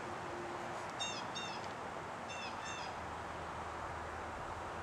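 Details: Hawk at its nest near Marshall, North Carolina: two short series of thin, high, harmonic downslurred notes, each about four quick calls, over a steady wind-like hiss.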